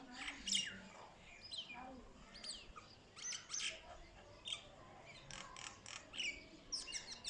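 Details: A myna giving a rapid series of short chirps and harsh squeaky notes, irregularly spaced, over a faint steady background hiss.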